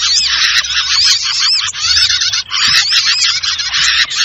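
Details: Sirtu bird lure call used for trapping small birds, a dense, noisy chorus of high chattering and twittering notes with short upward-curving whistles, nearly continuous with brief pauses around 1.7 and 2.5 seconds.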